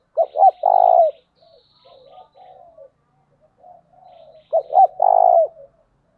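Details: Spotted dove coo in the 'giọng thổ' style, played to lure wild doves: a strong phrase of two short notes and a long coo opens and closes the passage, separated by quiet fluttering coos.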